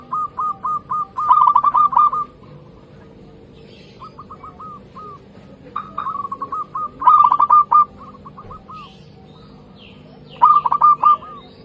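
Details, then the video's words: Local zebra doves singing energetically: rolling series of soft repeated coos and stuttering trills in bouts, some overlapping, with quiet gaps and low background hum. "Perkutut Lokal Gacor"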